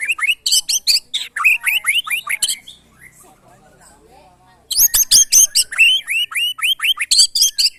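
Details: White-rumped shama in a mental test with neighbours' birds: rapid strings of rising slurred notes, a roughly two-second lull with faint background sounds, then another energetic burst of repeated upslurred phrases.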